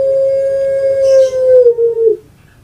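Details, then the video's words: Puter pelung dove, a well-kept pet bird from Java, Indonesia, known for its long voice: one drawn-out, steady, hollow coo lasting about two seconds that slides lower at the very end, in a quiet room. "PUTER PELUNG SUARA PANJANG"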